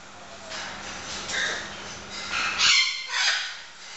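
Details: Two blue-throated macaws that have just met and are bonding give harsh, raspy squawks in three or four loud bursts over a few seconds, with a faint steady hum in the background.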